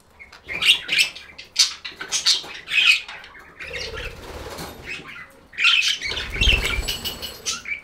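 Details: Budgies chattering, with runs of quick high chirps and squeaky warbles, interrupted midway by a stretch of fluttering, rustling wingbeats before the busy twittering resumes.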